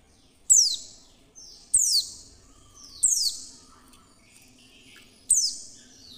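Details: Female Oriental white-eye luring call meant to prompt other white-eyes to sing: a series of four bright, high descending slurs about every 1.2 seconds, each fading gradually, with fainter downward whistles in between and little background noise.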